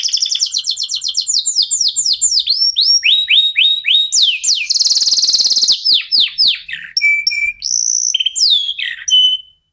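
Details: Local canary in full, nonstop song meant to spur other birds into singing: fast rolling trills of down-slurred notes, a buzzy rattling passage, then clear whistled tones and sweeping slurs, loud and varied throughout.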